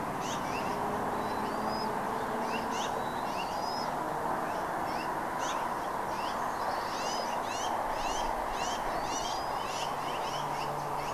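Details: Bald eagle calling at Redding, 17 April 2021, 08:15: sparse rising whistles early, then a dense run of rapid, high chittering chirps, all over steady hiss.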